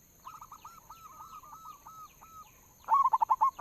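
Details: Local zebra dove lure call: a softer run of drawn-out cooing notes, then a loud quick burst of short hooked whistled coos at the end.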